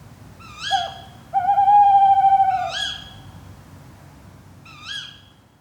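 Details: Tawny owl calling at night, captured by an overnight drop rig with a Zoom F3 and Clippies microphones in the Fachwen area of Padarn Park by Llyn Padarn, Wales: a short hooted note, then a long steady tonal hoot, then brief rising wavering notes.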